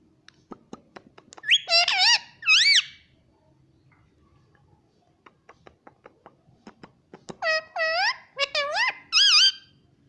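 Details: A pet rose-ringed parakeet repeats "mummy" in shrill, nasal, rising-falling tones, in two bursts of three or four, with sharp clicks between.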